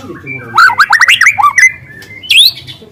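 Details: White-rumped shama in the wild, singing loud canary-like phrases used for luring: a rapid tumbling run of bright whistled notes, then a pause and a rising squeaky flourish, a short spoken word right after.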